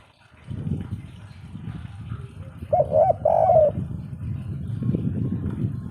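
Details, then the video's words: Spotted dove giving the three-note 'kuk 3' coo style, which is believed to bring good luck: a mellow, low cooing phrase lasting about a second, set against a steady low rumbling background noise. "suara burung derkuku kuk 3"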